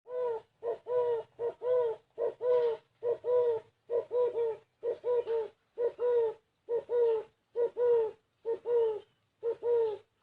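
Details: Spotted dove cooing in the gáy gù kích bổi style: rhythmic bursts of three or four low, hollow coos, each phrase lasting about a second and recurring steadily with short silent gaps.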